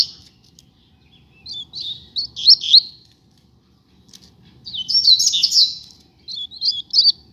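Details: From a pair of rusty-collared seedeaters on the street, a series of quick high twittering phrases, each under a second, rising and falling in pitch with brief gaps between them.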